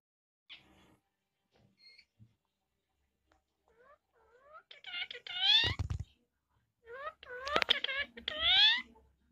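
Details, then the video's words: Pet rose-ringed parakeet speaking Hindi words indoors: after faint scattered sounds, two bursts of hoarse, nasal, speech-like syllables with sliding pitch, separated by a short pause. "Cute hindi talking parrot"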